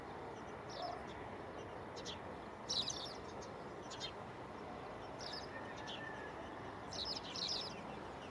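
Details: Spanish sparrow at Gáldar, Gran Canaria, February 2023, choosing its next nest site, giving short, bright chirps in scattered bursts every second or two over a steady background hiss.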